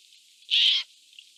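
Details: A Eurasian jay among jays fighting over food in a forest gives one harsh, rasping screech lasting about a third of a second, over a steady faint hiss.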